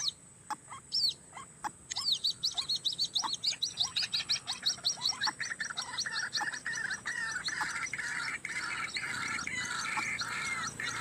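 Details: A White-breasted waterhen by a through road where it is trapped. Rapid high chirping from other birds comes first, then a long run of harsh, wavering, gargled croaks.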